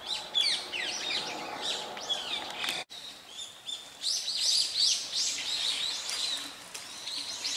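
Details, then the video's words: Brown-eared bulbuls calling in Hourai Park, Ota City, Tokyo: a dense, overlapping chorus of shrill, squealing high notes, some rising and falling, several birds at once, with a brief break partway through. "ヒヨドリHypsipetes amaurotis↩Most bird calls are this bird"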